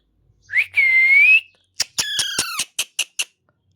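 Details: Parrot learning to talk: a clear rising whistle, then a string of harsh squawks and short clipped notes, fading into silence.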